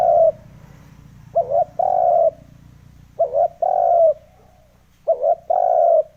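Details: Spotted dove call used as a lure to stir up decoy birds: four repeated phrases, each a brief bouncing coo followed by a drawn-out hollow coo, roughly every one and a half seconds.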